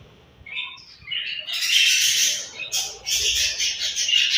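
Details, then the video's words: Budgerigars at morning feeding time, a flock chattering in dense, buzzy high chirps that swell into a continuous warbling chorus after a quieter start of scattered squeaks. "𝘽𝙪𝙙𝙜𝙞𝙚𝙨 𝙈𝙤𝙧𝙣𝙞𝙣𝙜 𝙁𝙤𝙤𝙙 𝙒𝙞𝙩𝙝 𝙈𝙤𝙧𝙣𝙞𝙣𝙜 𝘾𝙝𝙞𝙧𝙥𝙞𝙣𝙜 𝙎𝙤𝙪𝙣𝙙𝙨"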